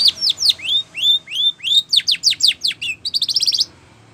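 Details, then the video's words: Spanish Timbrado canary in training song, alternating steep falling whistles and rising slurs at a steady pace, ending in a quick rattling trill and silence. "Sound Of Canaries / Spanish Timbrado song For Training"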